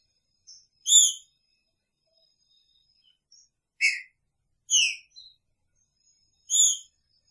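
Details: Picharro-style singing from a caged male green-winged saltator sharing the cage with a female: four loud whistled notes, one slurring down, spaced about a second apart, with a few soft chips between.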